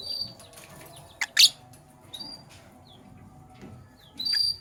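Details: Morning chirping from lovebirds of the Sky Blue Opaline and Cobalt colours: thin high whistled chirps, one harsh squawk early on, and a longer shrill call at the close.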